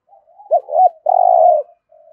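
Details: A single spotted dove phrase in the full 'thổ' style, played to make newly caught birds start calling: a soft lead-in, two short arched notes, then one long, even, slightly throbbing coo trailing into a faint low tone.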